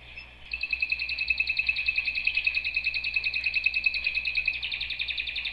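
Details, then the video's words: Canary song of fast, even trilled notes repeated about three times a second, steady and high-pitched, over a low background hum. "آواز قناری"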